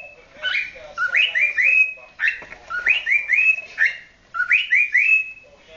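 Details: A 9-month-old cockatiel, flirting or courting, sings in clear, rising whistles strung into quick repeated phrases of three or four notes, with brief pauses between phrases.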